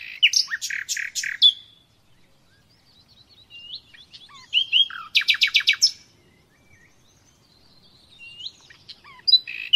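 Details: Song of the common nightingale for conditioning captive birds: separate phrases broken by pauses, with clipped sharp notes, slurred whistles and a burst of rapid staccato notes in the middle.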